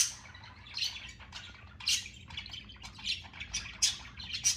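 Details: Pet budgerigars in a living room in the morning warble in a busy stream of high chirps, squeaks and chatter.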